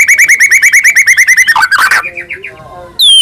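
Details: White-rumped shama of the Medan type in full, varied song, used as a lure to make other shamas sing and become agitated: a fast run of repeated sharp chirps, then a harsh burst, softer rising notes and a final high whistle.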